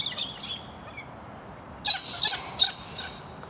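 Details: A galah in a small street-end park on a morning after overnight rain, one of a pair chatting to each other, gives a rasping burst and then three quick screechy notes about a third of a second apart.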